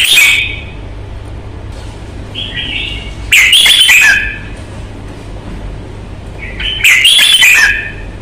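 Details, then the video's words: Red-whiskered bulbul singing during a fighting display, three loud bubbling whistled phrases spaced a few seconds apart, each preceded by softer notes, over a steady low hum. "CHÀO MÀO | Bóng bộ thái độ nết đấu chất giọng cực hay"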